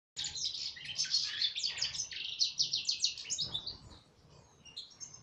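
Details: European goldfinch singing a rapid run of high twittering, buzzy chirps and trills, densely packed for about four seconds and then softening into scattered notes, over a low background hum.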